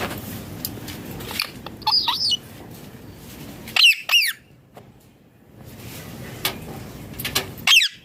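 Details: Indian ringneck parrot calling naturally: a wavering squawk, then a loud pair of harsh, falling screeches, a pause, and another sharp screech at the end.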